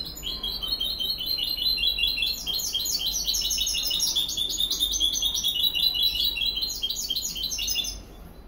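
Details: Goldfinch hybrid singing a continuous, rapid song of twittering, buzzy and trilled notes, with quick chirps and short rolling phrases running almost unbroken for about eight seconds before stopping. No other clear sounds.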